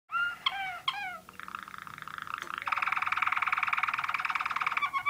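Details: A Waterlager Malinois canary opens with a few loud, clear down-slurred whistles imitating a northern cardinal, learned mimicry, then runs into a long, fast, rolling trill.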